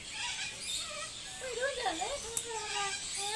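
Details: Talking corella recorded at Silverton, NSW, 25/6/10, producing a wavering, speech-like phrase that dips and rises in pitch, followed by a sustained tonal note and a sharp click.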